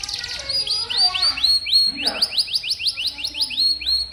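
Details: Canary song played to coax young canaries into singing: a chain of quick upward-hooked whistled notes repeated several times per second, with a brief murmur of low sound midway.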